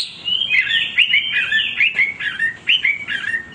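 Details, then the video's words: Chinese hwamei (wambi) singing nonstop, a loud, rich, unbroken song of varied whistled phrases sliding up and down, several notes each second, with no other sounds; used as training song and for testing male hwameis. "wambi gacor berkicau tanpa henti"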